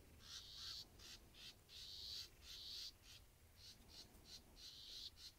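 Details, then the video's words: Black-capped vireo singing; rapid series of short, high, scratchy phrases with brief pauses, over steady low background hiss. "Black-capped Vireo"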